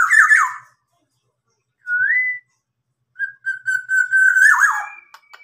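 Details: Tame kept local black-naped oriole copying a police car siren: a wavering whistle burst, a short rising whistle, then a long level whistle breaking into falling warbles.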